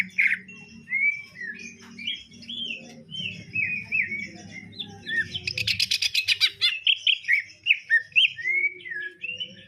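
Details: Greater green leafbird in a sparrow-filled song: varied looping whistles, then a rapid rattling chatter of harsh chirps, then more whistled phrases, against a noticeable low rumbling background.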